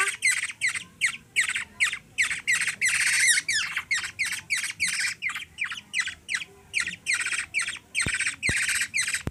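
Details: A hungry young black-naped oriole in the Philippines begs while being hand-fed, giving loud, harsh, rasping squawks about three times a second in a steady stream, with a few sharp clicks near the end.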